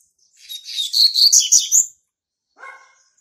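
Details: Double-collared Seedeater, a young brown male hatched in March 2019, sings to claim territory. A quick phrase of sharp, high, warbled and buzzy notes lasts about one and a half seconds, then a short, lower, nasal call follows.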